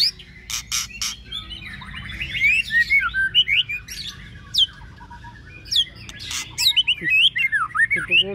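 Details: White-rumped shama rehearsing for a practice singing contest in Babagan village, Lasem: rich, rapid song of slurred whistles, rising and falling sweeps and sharp clicks, delivered in bursts with brief pauses, over faint low background hum.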